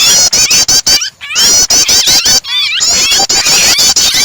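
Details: Prinia calls blended with a distressed bird, used as a starter to get other birds singing; loud dry ticking clicks in fast bursts alternate with high, wavering squeals, broken by short sudden gaps.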